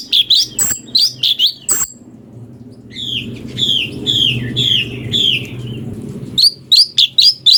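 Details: Brown-breasted bulbul song variations, used as a master to train magpie-robins: bright chirped notes in quick groups, a pause, then a run of slurred, descending whistles followed by a rapid string of chirps.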